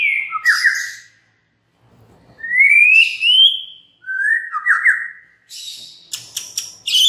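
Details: Lure song of a white-rumped shama, intended to get other shamas singing loudly: clear, sweet whistles, some slurring upward, separated by pauses, followed by a few sharp high chirps.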